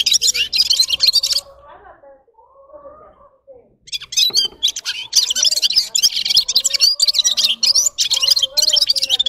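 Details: Red-fronted serin (gulsir) pours out fast, high, tinkling twittered song in bursts, broken by a quiet gap where a low human voice murmurs before the jangling trills resume.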